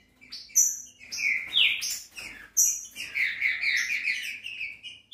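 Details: Green-winged saltator singing loud, clear whistled phrases with sliding notes, mostly mid-high pitched, bursts roughly every two seconds; a few high sharp chips overlap; song used to stir other saltators into singing.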